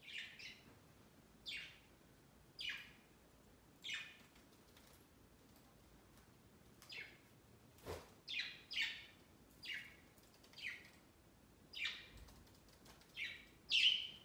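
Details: Pet budgies gathered on a Christmas tree beside their bird cage during their first Christmas; a long run of about fifteen sharp, downslurred chirps at uneven intervals, with one soft thump partway through.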